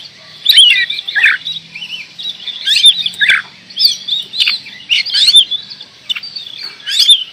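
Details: Vigorously singing oriental magpie-robin, delivering looping whistled notes, trills and descending slurs in bursts about every second, with occasional crisp clicks.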